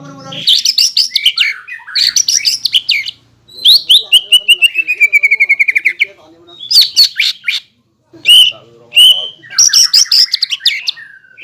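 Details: Green leafbird in full song, used as a lure to rouse rival birds into singing, its song said to include kingfisher, magpie-robin and shama imitations; shrill varied phrases, chattering trills and a long descending whistle, separated by brief pauses.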